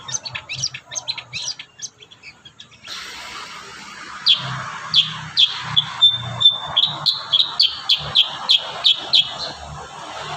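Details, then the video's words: Kurincang singing lively varied song, tutor audio for training young kurincang: soft scratchy notes at first, then a rapid, steady series of sharp downward-slurred high chirps and short whistles, about three per second. "burung kurincang gacor isian"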